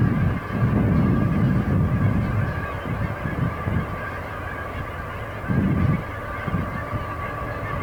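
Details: Huge flock of Canada geese still flying around over a field at dusk before settling for the night; thick waves of overlapping low honking, a loud surge at the start and another around five and a half seconds.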